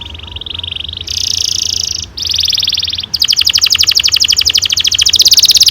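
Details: Long rolling canary song used to coax young canaries into singing: a lower trill steps up to bright buzzy rolls, then breaks into a quick, strongly pulsed high roll.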